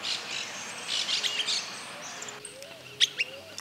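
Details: Streaked flycatcher (Myiodynastes maculatus), call.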